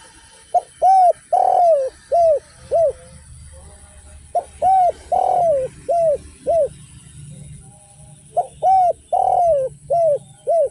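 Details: Spotted dove repeating its phrase three times in the without-kuk and one-kuk style, each a short note, a rounded coo, a long wavering falling coo and two or three arched coos, delivered at steady intervals over quiet hum.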